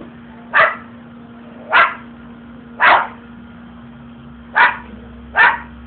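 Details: Pet umbrella cockatoo barking at the household dogs: five short, hoarse, dog-like barks spaced about a second apart, with a steady low hum underneath.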